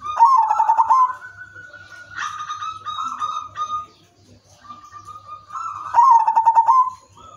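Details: Udanmas silver zebra dove singing a melodious lure song to set other doves singing. A fast stuttering coo trill opens, long level coos follow, and the rapid pulsed trill returns loudly near the end.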